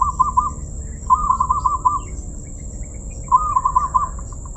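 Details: Zebra dove praised for a crystal-clear voice, singing three bursts of quick, rolling, trilled coos, each about a second long, over a low rumble and a steady thin high whine.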